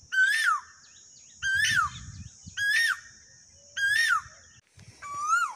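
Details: Asian koel in a rural field in Rajasthan, India, giving loud, ringing whistled notes, about one every second, each sliding sharply in pitch, over a steady high whine and low rumbling noise.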